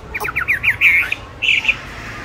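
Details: Caged songbird, bought 19 May 2020 and said to sing at all hours anywhere, utters a brief string of harsh, clipped notes followed by two short buzzy squawks with pauses between.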